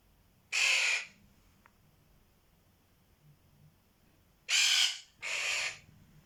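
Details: Quaker parrot making strange noises: a harsh, raspy squawk, then a long pause, then two more grating squawks in close succession, each about half a second long, in a quiet room.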